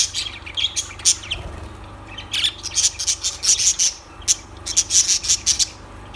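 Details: Lovebirds calling in quick series of sharp, very high, clipped chirps, grouped in rapid bursts with short pauses between them, plus a brief low thud near the start.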